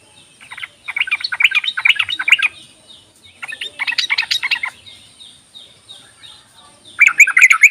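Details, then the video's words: Yellow-vented bulbul calls used as a lure to make reluctant bulbuls sing: bursts of bright, bubbly chattering notes lasting one to two seconds, separated by short pauses, in a quiet setting. "ropelan dan panggilan burung trucuk ini sangat memikat bagus buat pancingan trucuk malas bunyi"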